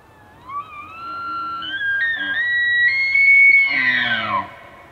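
A Common Loon gives a long, pure wail that slides slowly upward, holds high, then breaks and falls away at the end.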